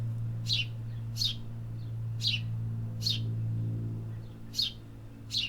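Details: City birds singing with a run of six sharp high chirps at uneven spacing, about one per second, over a steady low drone of urban noise.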